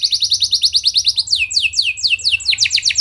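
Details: Canary singing to stir other canaries: a rapid regular trill of short high notes, then slower, broader downward sweeps repeated in quick succession.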